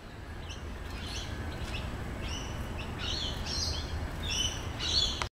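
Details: A Diamond Firetail finch at Currumbin Wildlife Sanctuary gives short, thin, high calls in quick irregular bursts over a steady low rumble of wind or distant traffic.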